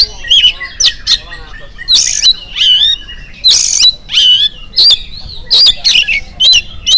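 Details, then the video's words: An oriental magpie-robin sings in the morning as a prompt to set other magpie-robins singing. Loud rasping bursts and clear looping whistles follow one another almost without pause. "PANCINGAN AWAL SUARA KACER GACOR DI PAGI HARI KACER APA SAJA LANGSUNG NYAUT IKUT BUNYI"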